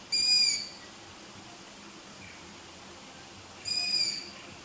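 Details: Night recording of young long-eared owls, whose calls resemble kittens meowing: two high, thin, wheezy squeaks roughly three and a half seconds apart, the second softer, with near silence between.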